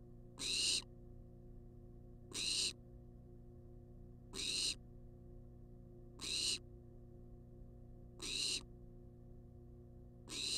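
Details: A wild barn owl demands food inside a monitored nest box: short, noisy hissing screeches repeat steadily about every two seconds, six in a row, with a constant low hum behind.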